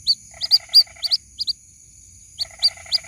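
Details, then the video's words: White-breasted waterhen chick calling its mother: loud, bright, hooked peeps in quick pairs and triplets over a lower buzzy pulsed chatter. A short silence follows, then more peeps, all against a thin steady whine. "SUARA ASLI PIKAT ANAK BURUNG RUAK RUAK MEMANGGIL INDUKNYA"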